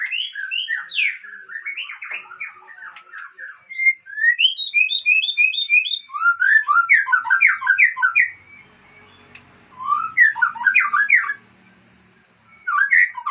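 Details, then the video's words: White-rumped shama (Murai Aceh) breeding stock singing bursts of quick, varied whistled notes and chattering phrases, separated by brief pauses with faint low background noise. "Murai Aceh # Indukan Super"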